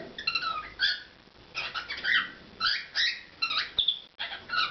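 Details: Pet cockatiel performing its song: a dense run of warbled, harmonic whistles, rising and falling phrases following one another with barely any pause.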